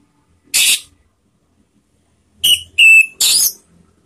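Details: Orange-headed thrush, female, calling as a lure to trigger singing: a loud hissing burst, a pause, then three close notes including a thin whistled tone.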